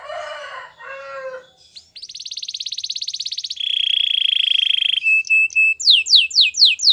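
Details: Canary song for training: lower, rougher notes open the phrase, followed by a high fast buzzy trill, a clear rolling trill, then a run of loud descending swept whistles repeated in quick succession.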